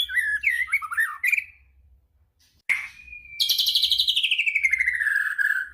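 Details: White-rumped shama song, used as a lure to provoke other shamas into singing: a rapid run of varied warbled whistles, a pause, a thin drawn-out whistle, then a loud buzzy trill sliding slowly downward.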